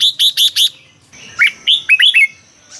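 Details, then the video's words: Red-whiskered bulbul song from Thailand, played to make caged birds lively: four bright high chirps in quick succession, a short pause, then a rolling phrase of curved, liquid whistles. "เสียงนกกรงหัวจุก สำหรับต่อ หรือ เปิดให้นกคึก เสียงเพราะๆ"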